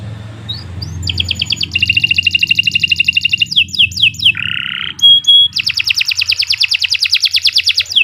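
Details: Canary song meant as a master recording for training: rapid dense trills, a lower buzzy phrase, a pure high whistle, then another long fast rattling trill, over faint low background noise.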